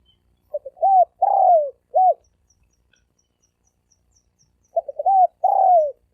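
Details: Thổ sấm đồng coo of a spotted dove, a lure for males and females: stuttering low hoots rising into a long sliding coo and a crisp final note, repeated after a pause, with faint distant high ticking.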